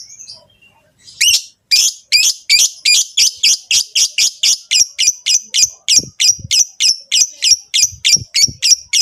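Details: Captive Rosy-faced and Fischer's lovebirds giving mating calls meant to encourage a female to breed; rapid series of sharp, high, squeaky chirps repeated about three per second, steady and insistent.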